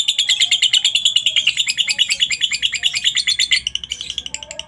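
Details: Lovebird giving its ngekek, a lure song meant to prompt other lovebirds to sing: dense, shrill chattering pulses repeated rapidly and evenly, tapering off near the end.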